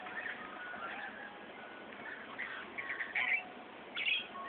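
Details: Rainbow lorikeets fighting over spilt ice cream chatter harshly and continuously, with louder grating screeches bursting out near the end as several birds squabble together.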